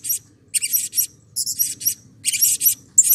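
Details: Excited Blue-crowned hanging parrot, calls used to spur other birds of its kind into calling: quick chattering groups of very high, scratchy squeaks, three or four per cluster, with short pauses.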